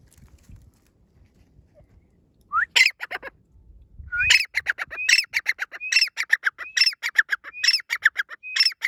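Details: Grey francolin calling in breeding season: after a lone rising note, loud harsh repeated phrases begin, each opening with a short upslurred whistle followed by a rapid burst of scratchy clipped notes, about once per second.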